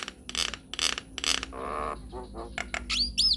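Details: Nias hill myna singing in lively form, a recording meant to provoke answering song: three harsh rasping bursts, a low nasal droning note, soft clucks, then bright slurred whistles at the end.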